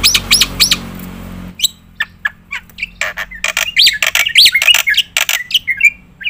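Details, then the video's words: Black-winged myna gacor song for competition bird training: three upswept whistles over background noise, then an irregular mix of chips, squawks and looping whistled notes. "jalak putih gacor full nembak isian"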